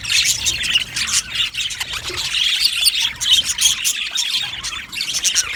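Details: Many budgerigars in a colony aviary chirping and warbling at once, a high rapid twittering that swells and dips in waves.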